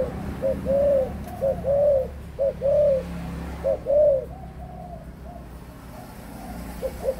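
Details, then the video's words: Adult spotted dove, 18 months old, cooing: short low note pairs, each a quick hooked note followed by a longer arched coo, repeated four times in the first half, then fading to faint echoes over a steady low background hum. "cu gáy trưởng thành 18 tháng"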